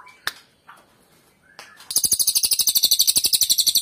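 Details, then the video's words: Loud cililin bird song: after a few faint chirps, a fast, high, piercing trill bursts in and keeps pulsing about four times per second to the end. "Cililin bird suara keras"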